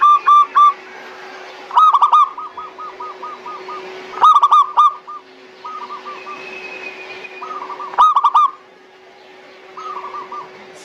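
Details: Zebra dove cooing played to stir quiet doves into singing: short loud bursts of quick cooing notes every two to four seconds, with softer trailing coo series between them and a constant low hum.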